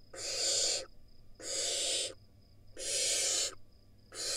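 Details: Israeli wild barn owl chicks on a nest camera scream at their sibling at the entrance. Loud, hoarse, hiss-like screeches last most of a second each, about four in quick succession with brief silent gaps.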